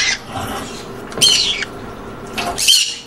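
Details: Green conure giving a few harsh, noisy squawks spaced about a second apart over a murky background of low rumbling noise; the calls are meant to create a happy mood.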